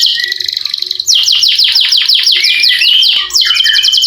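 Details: Canary with long rolled song, used to prompt lazy canaries: a rapid buzzy trill, a run of falling swoops, then a high rolled trill.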